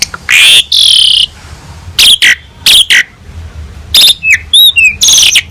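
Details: Asian pied starling singing for a training master: long grating screeches, clipped harsh notes in pairs and a few sliding whistles near the end.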